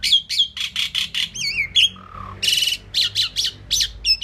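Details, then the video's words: Talking Indian pied myna repeating harsh squawks in quick succession, with wavering whistles, a low short hum-like note and a broad rasping burst mid-sequence. "Amazing Talking Indian Pied Mynah Bird"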